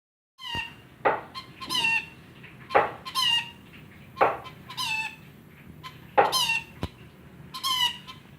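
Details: Rainbow lorikeet imitating a chicken: harsh, clucking squawks with a rising, squeaky edge, given in irregular bursts about every second, with a faint low hum underneath.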